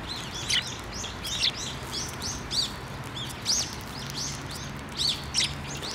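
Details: Sparrows coming close to be fed at a Tenmangu shrine on 15 December 2023; a flock gives short high chirps in quick bursts, several overlapping, against steady outdoor background noise.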